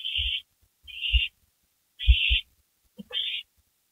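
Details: Owls back on a porch around midnight, May 3, 2012, giving rasping hiss-screeches in quick succession, four bursts in four seconds, with dull knocks and a faint short extra sound before the last one.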